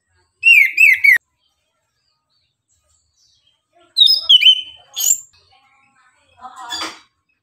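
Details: Caged orange-headed thrush in lively morning song, used as a lure to stir other birds into singing: a quick burst of three whistled, slurred notes, a pause of nearly three seconds, then varied sharp whistles, a high squeal and a buzzy chattering phrase.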